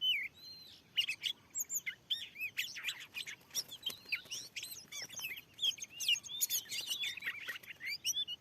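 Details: Aggressive wild Oriental magpie-robin in a field, answering a lure at a newly set spot; energetic run of clear looping whistles and rapid chattering notes, dense and continuous, with crisp clicks mixed in.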